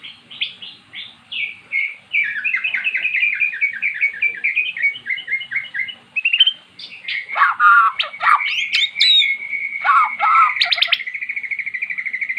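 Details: Magpie-robin that had never sung, now in full song after recorded song was played: a long rapid series of repeated short notes, loud sweeping bursts, and a fast steady trill near the end.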